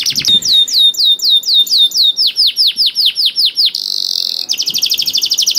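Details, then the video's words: Canary singing to provoke reluctant canaries: sliding whistled notes in a measured series, about three per second, then a short buzzy hum and a quick rattling trill at the end. "KENARI GACOR DOR INI MEMANCING KENARI YANG SUSAH BUNYI JADI IKUT GACOR"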